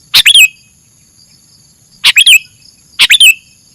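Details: Masteran clip of a sooty-headed bulbul giving three bursts of sharp chirps, each a stuttered pair or triplet closing in a bright downward slur, separated by pauses, over a faint continuous whine.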